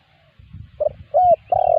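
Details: Spotted dove lure call meant to bring replies from wild doves: a short coo, a rising coo and the start of a long coo over a low rumbling background.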